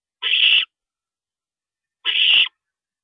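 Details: Nesting owl at 2:40 AM on April 22, 2012, during a parent's visit; two harsh, noisy hiss-screeches about a second and a half apart, otherwise silence.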